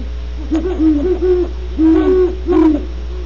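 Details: Great horned owls at Starr Ranch in California: a run of mellow, low hoots in two loose clusters, each note slightly arched, with a faint background hum.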